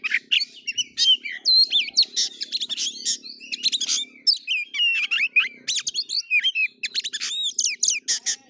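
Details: Oriental magpie-robin (kacer) in fighting-style play, kura-kura style: a dense, rapid, varied stream of sweet whistled slurs, sharp chirps and buzzy notes, mostly high-pitched, with a faint low hum beneath.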